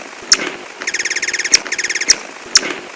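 A hummingbird gives sharp, high single chips about every half second, broken by a fast, buzzy run of about twenty rapid notes.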